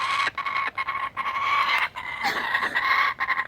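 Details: Adult laughing kookaburras sharing food, one having caught a skink, give a harsh, raucous run of churring notes broken by brief pauses every half second or so.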